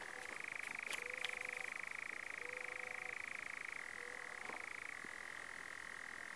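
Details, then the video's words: A European nightjar churrs in the New Forest, UK, on 6 June 2018: one long, dry, mechanical trill that never breaks, dropping slightly in pitch twice, with faint whistled notes beneath. "Nightjar Churring"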